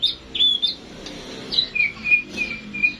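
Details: White-rumped shama in classic singing: short clear whistled notes, some flat and some slurred, given in a quick irregular series over a soft background hiss.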